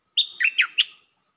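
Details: A single short phrase from a red-whiskered bulbul, lak ber style: a clear whistle, then three bubbly chirps dropping in pitch, clean with no background.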